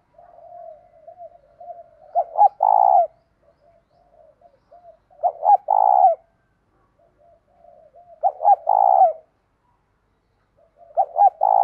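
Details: Morning song of a spotted dove in the 'thổ' voice mixed with 'thúc gù', used to draw in wild doves. Three phrases come about every three seconds. Each has murmured low coos, then two sharp notes and a strong sustained coo.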